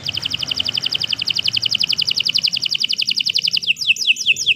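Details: Canary singing a long, continuous song: a rapid trill of paired high notes, about ten per second, switching near the end to a slower series of bright downward-sweeping whistles.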